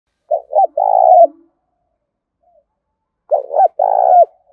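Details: Spotted dove cooing in the sharp thổ đồng song style, used to provoke wild birds into fighting. Two low coo phrases, each a stuttering double note and then a long drawn-out coo that drops at the end, with a pause between them.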